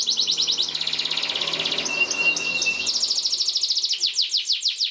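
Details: Canary in full song as a master recording for training young canaries: dense fast trills throughout, a thin steady whistle in the middle, then clear repeated downslurred notes, about three per second, at the close.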